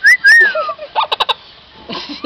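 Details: Pet parrot about two years old at Quistococha, Iquitos, Peru, known to whistle and say words. Two clear rising-then-falling whistles open, followed by a quick burst of four or five short harsh pulses like laughter, then a faint murmur.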